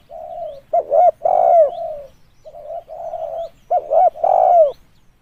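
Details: Spotted dove call played as a lure: low hooting coos in two phrases, each a soft lead-in followed by a stuttering double note and a long, loud, falling coo, about three seconds apart.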